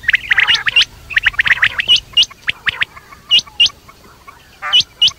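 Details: Quail calling at night: bursts of sharp, hooked, rising notes, high and clear, given in quick clusters and then singly at irregular gaps, with a few harsher chattering notes early on.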